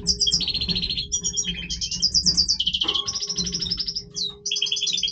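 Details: Breeding song of a Major goldfinch, a fast run of bright twittering phrases: liquid trills, nasal buzzes and high tinkling notes follow each other almost without a break, with a steady low background hum.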